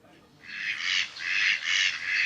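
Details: A mallard at the Lindre pond in France gives four harsh, raspy quacks in quick succession, each about half a second long, with no other clear sounds.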